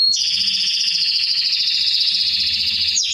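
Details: Canary song used to train young birds: a single sustained rolling trill, dense and buzzy, held steadily for nearly three seconds between brief sharp whistled notes at start and end.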